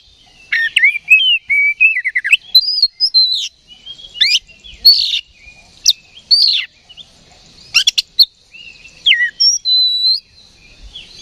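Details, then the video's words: Oriental magpie-robin roused to fighting mood by a provoking recording, singing a lively run of rising and falling whistles, slurred notes and sharp clicks in quick bursts. "KACER GACOR NGEPLONG TARUNG"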